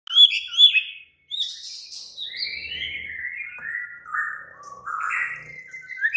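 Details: White-rumped shama singing in an agitated, excited state: varied whistled phrases, slurred notes sliding between mid and high pitch, a brief pause, then buzzy downslurred notes and rising whistles.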